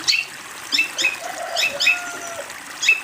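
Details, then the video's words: Master song of a long-tailed shrike, used to train young birds: short, thin high chirps with quick downslurs, given in small clusters separated by brief quiet gaps. "MASTERAN BURUNG CENDET COCOK UNTUK CENDET TROTOL / ANAKAN ANDA"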